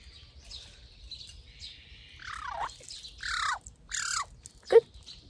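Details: Hand-raised baby Oriental magpie in the morning giving harsh, raspy squawks that slide downward, then a few short scratchy bursts and a sharp click, in a quiet room.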